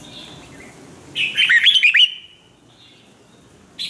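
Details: Red-whiskered bulbul singing for song training, one lively phrase of quick, jumbled warbling notes rising and falling for under a second, followed by quiet and a brief note at the end.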